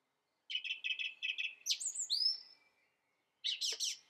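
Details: A song thrush repeats a short clipped note four times, then gives two sweeping whistles and, after a pause, a harsh chattering phrase; no other sounds.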